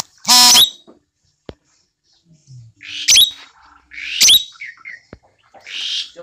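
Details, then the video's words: Tame Asian glossy starling: a harsh nasal buzzy call opens, followed by clear shrill upslurred whistles and rasping notes every second or so, with soft chatter between. "Cucak Keling Gacor Jinak"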